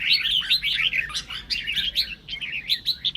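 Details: Fast, continuous chattering song of a red-whiskered bulbul, played to goad other birds into singing; bright, looping whistled notes run together without real gaps.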